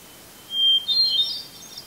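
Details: In Eustis, Maine, a hermit thrush sings from a red pine at 8:12 PM on a July evening just before sunset. A clear sustained whistle leads into a brief, rising, warbled flourish of ringing notes, then fades.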